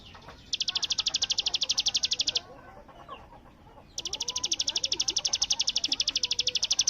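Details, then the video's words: Bar-winged prinia in rattling 'bren' song, compared to AK47 fire: two bursts of rapid, high, evenly spaced notes separated by a pause of about one and a half seconds with faint murmuring in the background. "cigun gacor full tembakan bren AK47"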